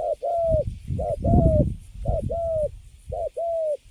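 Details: Recently caged wild-caught spotted dove giving loud paired coos, a short hoot then a longer note that rises slightly and holds, over low thudding and handling noise.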